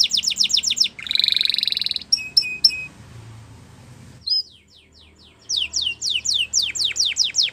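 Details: Canary song for stimulating canaries to sing: short trilled bursts and a buzzy rolling phrase, a pause with faint background hum, then a run of sharp downslurred whistled notes.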